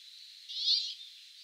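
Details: Winter 2022 recording of a Brambling: one drawn-out call of about half a second, swelling then fading, set against constant high-pitched background noise.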